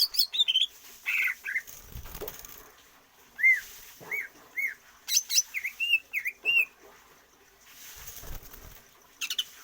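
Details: Greater green leafbird undergoing stamina training without free-flight exercise to extend its breath. Separate arching whistles, some paired, are spaced among rustling sounds, with a short cluster of dipping notes in the middle.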